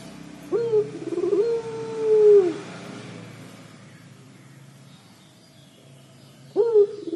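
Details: Collared dove (puter pelung) in 'crying' style, two long wavering low tones in the first seconds, a quiet pause, then a fresh upward-sliding note at the end.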